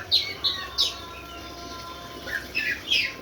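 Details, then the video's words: Competition-fighter Oriental magpie-robin giving loud, sharp chirped notes in quick bursts, a pause, then a cluster of clipped whistles, over a faint steady hum. "kacer petarung"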